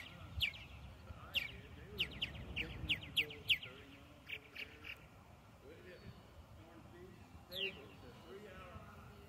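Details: Purple martins newly arrived at a research colony give a quick run of sharp, bright chirps, then scattered gurgling notes, over a low murmur of background noise and faint voices.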